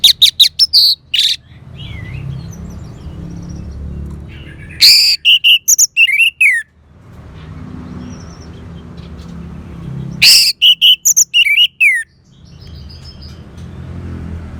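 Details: Orange-headed thrush singing loud bursts of piercing whistles and chattering notes, repeated roughly every five seconds, with quieter warbling and a low background hum between phrases.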